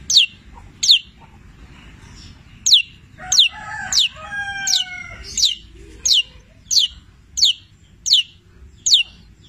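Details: Petir-type long-tailed shrike singing actively, with mimicry of labet and canary. Crisp high down-slurred whistles repeat about every two-thirds of a second. A brief lower, drawn-out phrase sounds near the middle.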